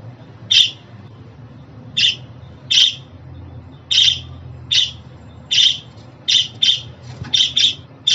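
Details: Calling of a budgerigar for pet birds, said to suit both males and females and to set them singing: a steady run of a dozen quick, high, clipped chirps, some paired, at roughly one per second, over a soft low hum.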